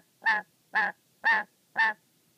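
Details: Angry, wary pet black-capped lory, agitated while playing with a favourite sock and watched: four loud, harsh, nasal squawks, evenly spaced about half a second apart, against a quiet indoor background.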